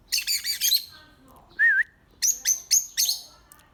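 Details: Birds make a fast, buzzy high chatter, then one looping whistled note, followed by four quick, sharp high chirps.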